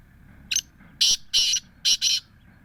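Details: Black francolin from Bhakkar district, Pakistan, giving harsh, rasping calls: five grating bursts, a short note, then two longer ones, then a close pair, over a quiet background.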